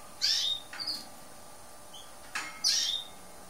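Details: Green-backed lesser goldfinch (hesperophila) with loud, high, sharp chirps and a short slurred note, broken by two dry broadband clicks, then a quiet pause.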